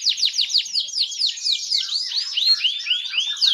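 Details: Fan-tailed canary song meant to teach other canaries to sing: a steady series of loud downward-sweeping chirps that slow into rounded arching whistles, evenly repeated throughout.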